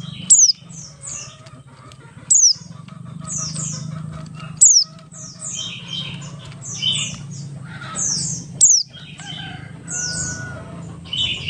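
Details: Oriental white-eye of the Buxtoni type singing in the ngalas style, used as a lure to get other white-eyes singing quickly: sharp high notes sliding downward every two seconds, mixed with quick chirpy phrases over a steady low hum.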